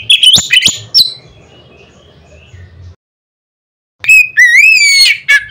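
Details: Oriental magpie-robin giving a loud song meant to make other magpie-robins sing: quick sharp chirps, a pause, then a clear whistled phrase that dips and rises before ending in harsh notes, over a faint low hum.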